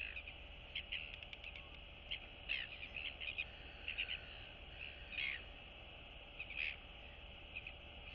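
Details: Royal albatross chicks chat while greeting one another among colony neighbours on 9 September 2022; rapid stuttering clicks, then scattered harsh notes, over a steady hiss.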